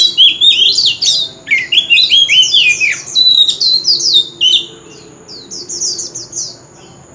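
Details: Loud street-corner song of an old wild oriental magpie-robin: rapid, varied, clear whistles and slurred notes in quick succession, fading to soft repeated high downslurred notes.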